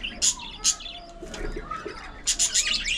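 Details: Colony of budgerigars in an aviary giving a few short, sharp high chirps, spaced apart, then a quick cluster of three bright tweets at the end over faint background hum.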